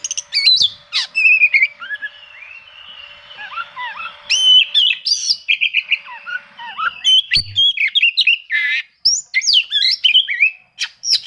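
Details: An Oriental magpie-robin pours out a challenging song while seeking rivals, used to coax reluctant birds into singing: bright whistles, a soft warbled middle stretch, then rapid chattering, trilled and sweeping notes.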